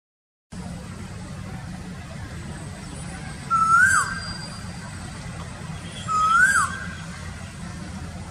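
Asian koel giving two loud, rising whistled notes about three seconds apart, over a steady low rumble of traffic.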